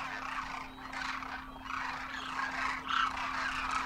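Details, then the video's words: Large wild flock of Demoiselle cranes, first-year juveniles with adult parents, wintering in Rajasthan, India, trumpeting as they take off and fly; dense, overlapping rolling calls form a continuous cacophony over a steady low hum. "Demoiselle Cranes darken the sky, trumpeting in flight"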